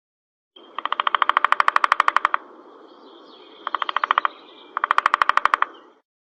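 A woodpecker drums in three rapid bursts of sharp, even knocks, with a faint steady whistle behind.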